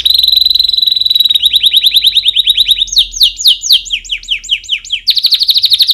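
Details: Canary singing as a training recording for chicks: a loud steady high trill, then a run of quick swooping notes, a series of sharp downward slurs, and a final rapid trill.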